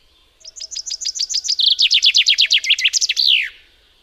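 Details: Single song from a common chaffinch: evenly spaced high, falling notes build into a quicker, louder cascade and finish with a sweeping, descending terminal flourish; background otherwise quiet.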